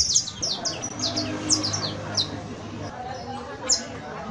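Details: Canario criollo, the saffron finch, giving a short burst of professional song: a handful of high falling chirps early on, then mostly quiet with one final note; soft background murmur and hum.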